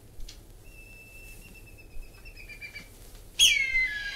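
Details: Whistling Kite, in a record of Australian bird calls: a long, steady, thin whistle held for about two seconds, then a loud, abrupt, falling whistled note.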